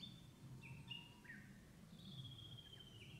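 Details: Japanese bush warbler in a spring countryside, breeding-season song: a long level whistle followed by short falling slurred notes, then another drawn-out whistle dropping at the end, with low rumbling noise underneath.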